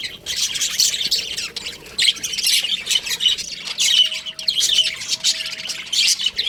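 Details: Many baby budgerigars chattering inside an aviary, rapid scratchy chirps in rolling waves, a thin steady hum running underneath for a couple of seconds.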